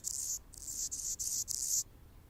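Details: Anna's hummingbird on a branch in Golden Gate Park, San Francisco, California: five tight, very high, hissing buzzy bursts in rapid succession, then quiet.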